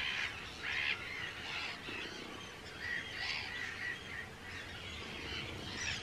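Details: At a busy Arctic tern breeding colony on Rottumerplaat in the Netherlands, 4 June 2023, many birds give grating, rasping calls that overlap in bursts, with brief quieter gaps between clusters.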